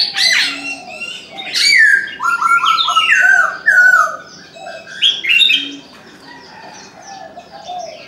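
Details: Chinese francolin calling in the morning: loud, harsh, grating phrases of stepped, falling syllables in bursts, then quieter; thin high chirps from other birds behind.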